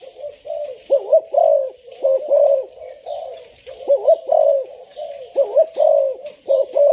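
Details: Six-month-old spotted dove being prepared for training, delivering a rhythmic string of low, throaty coos in short groups with brief pauses between them.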